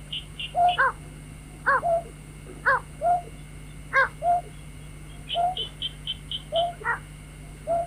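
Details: Night-trapping lure of white-breasted waterhen: paired harsh harmonic notes, each followed by a lower inflected note, repeated with pauses. A string of high piping notes comes in midway, all over an electrical hum.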